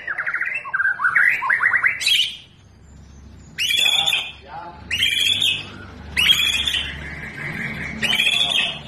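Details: Fighting-spirited white-rumped shama prepared for contest: an opening chain of rising whistled notes, then a harsh buzzy phrase with a sliding whistle repeated about every second, over a steady low background hum.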